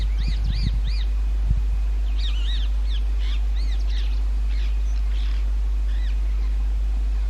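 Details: Rose-ringed parakeets breeding in summer, nesting in holes of old railway bridges; repeated loud, shrill arched screeches, several at once, with low knocking sounds near the start.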